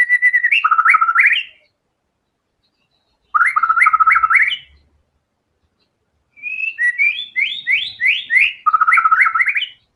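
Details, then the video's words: White-rumped shama singing actively, its full range of borrowed fill phrases on show: three loud bursts of rapid, ringing whistled notes that climb in steps to a high flourish, with short silent pauses between bursts. "MURAI BATU GACOR‼️FULL BONGKAR SEMUA MATERI ISIAN"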